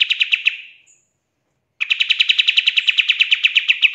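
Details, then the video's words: Pied triller song in the full tembakan style used for songbird training: a rapid, steady trill of sharp, high pulses that stops briefly, then returns and runs on at about the same fast pace. No other sounds are heard. "GACORRR DORR !!!! PANCINGAN KAPAS TEMBAK FULL TEMBAKAN"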